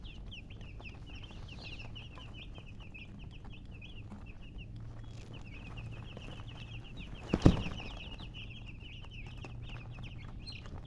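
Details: Baby chickens chirping together: rapid overlapping high peeps pour out in a steady stream, pausing briefly near the middle, with one sharp thump or knock partway through and a faint low hum underneath.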